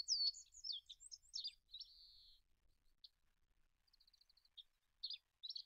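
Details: High-pitched olive-backed pipit phrase opening with sweet tumbling trills and a drawn-out thin buzz, followed by quieter short buzzy notes and soft twitters after a pause.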